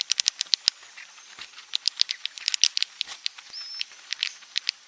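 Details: Swiftlet sound for luring birds to roost: scattered sharp ticking clicks in irregular clusters, softer buzzy notes between them, and one short rising whistled chirp.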